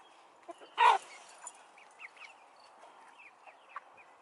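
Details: In a coop of chickens and roosters, one loud harsh squawk bursts out near the start, followed by soft scattered clucks from the flock.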